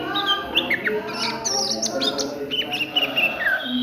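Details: Oriental magpie-robin singing in ngriwik style during the daytime: quick whistled notes and short sliding slurs high in pitch, over a steady murmur of lower tonal sounds in the background.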